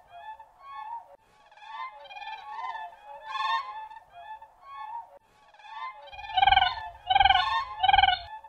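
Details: Siberian crane calls: a run of softer, overlapping, reedy notes, possibly from several birds, then three loud, pulsed, ringing calls close together near the end.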